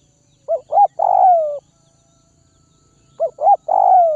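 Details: Spotted dove from Tây Bắc (Northwest), kept and fed to tame it, giving two coo phrases: a pair of short rising notes leading into a long, soft, falling coo, with the phrases repeated about 2.7 seconds apart and little else heard.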